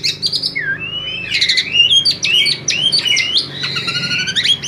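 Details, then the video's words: Asian pied starling singing to draw other birds into song; a continuous jumble of sliding whistles, squeaky squawks and harsh buzzy notes, with a constant low hum in the background. "Jalak suren ini PINTAR memikat burung lain AGAR IKUT GACOR"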